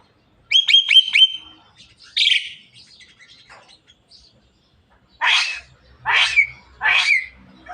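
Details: Javan myna talking until it coughs: a quick run of high stacked chirps, then a harsh rasp, scattered soft notes, and three loud, coarse cough-like bursts spaced about a second apart.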